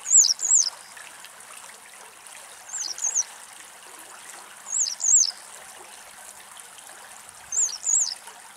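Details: Barn swallow (Hirundo rustica rustica) sunbathing on warm ground at midday in Greece, giving high, twittering double notes in four short bursts about two seconds apart, over a soft trickling hiss.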